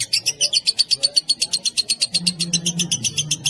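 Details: Lovebird giving a ngekek long chatter: rapid, even string of sharp high chips, about four per second, held through the whole stretch, with a low hum entering halfway.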